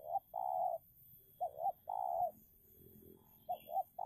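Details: Spotted dove, a decoy bird luring a wild dove in a fierce contest, giving low cooing phrases of two quick notes followed by one long drawn coo. The phrases repeat, with a faint high chirp near the end.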